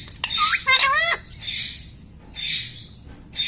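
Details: Pet parrot indoors mimicking words, saying phrases like 'mitthu': a few rapid harmonic syllables that bend up and down, mixed with harsh, noisy squawks in short bursts.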